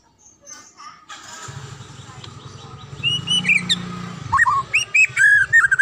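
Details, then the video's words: Song of a wild white-rumped shama: short whistles and a downslurred phrase rise out of a steady low engine-like drone, ending in a swooping call and quick run of clear chirped notes. "SUARA ASLI MURAI HUTAN"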